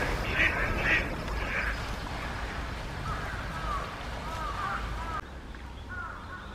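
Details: Eastern spot-billed ducks, Japan (Kurome River or Sanpōji Pond), July–December 2023, give a few harsh quacks early on, then softer repeated notes, over a steady low rumble of background noise.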